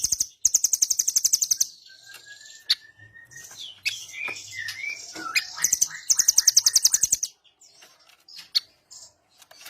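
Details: Blue nuthatch, known locally as rambatan doraemon, in a training recording for songbirds with dense rapid-fire delivery: very high, fast buzzy trills in bursts of about a second, separated by thin whistled slurs and scattered chips.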